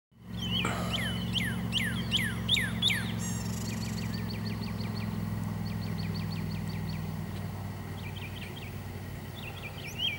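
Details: Northern cardinal calling: a run of steep, loud, down-slurred whistled notes, about seven in quick series, followed by softer, faster repeated sweeping notes and a few later chips, over a steady low mechanical hum.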